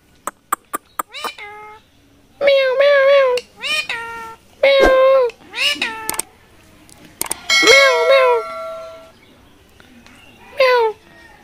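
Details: Talking rose-ringed parakeet giving a series of drawn-out, wavering, meow-like calls, some with bent, quavering pitch, after a few sharp clicks at the start. Short gaps separate the calls, and soft indoor background noise is heard.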